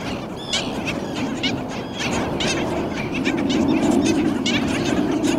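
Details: Nesting Black Skimmer family, two adults with two chicks, one perhaps hatched within hours, at Nickerson Beach, Long Island, New York: short, nasal, barking yips overlapping as several call at once, over a steady low rush of wind or surf.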